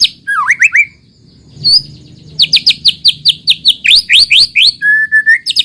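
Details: Shama song played as a lure for other shamas: a few down-slurred whistles, a pause, then a quick series of bright rising notes ending in a level drawn-out whistle.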